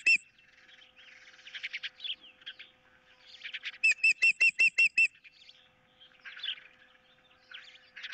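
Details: Osprey filmed by a nest camera on 15 April 2023, with a fish dispute and an intruder close by: a brief burst of about six shrill whistled notes, surrounded by busy chirping of other birds.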